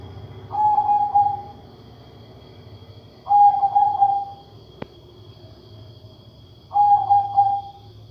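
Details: Zebra dove, a katuranggan majapahit type whose voice differs from ordinary birds, repeats a mid-pitched cooing phrase three times about three seconds apart, each a quick stutter of notes then a drawn-out tone; a click and constant hum behind.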